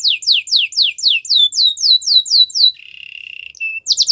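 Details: Gloster canary song: around twelve rhythmic descending whistled sweeps, then a soft buzzy trill and a few short high notes.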